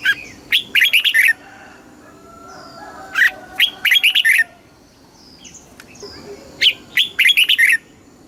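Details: Southern master-style song of a red-whiskered bulbul from Thailand, meant to stimulate caged birds. Three fast phrases of clear, ringing warbles, each lasting about a second, separated by pauses with faint background chirps.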